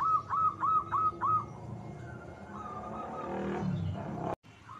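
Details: Zebra dove calling as a lure: four clipped, slightly falling cooing notes in quick succession at the start, then a long stretch of low rumbling noise and a faint note at the end.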